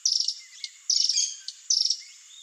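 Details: Brazilian Swallow-tailed Hummingbird (Eupetomena macroura) in the wild: three fast, rattling bursts of high, squeaky chips, spaced about 0.8 seconds apart, with faint thin sliding notes between them.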